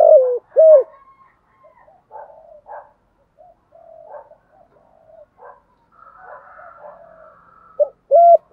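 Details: Spotted dove used as a decoy to provoke wild males. Clear hooting coos open and close the stretch, with soft, scattered cooing notes in between.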